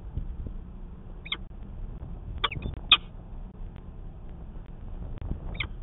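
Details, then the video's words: Nest-camera sound of a peregrine falcon at Manchester, New Hampshire, 19 February 2020, during a 'conference' at the nest. Four short, rasping calls are widely spaced against a low, noisy hum. "Peregrine Falcon - Conference with no angry Mom"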